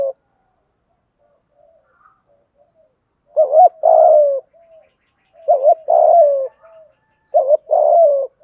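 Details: Spotted dove giving a 'thúc gù' stimulating coo used to provoke wild doves: after a quiet start, three low phrases, each a short wavering double note then a longer, steady coo sliding slightly downward, about two seconds apart.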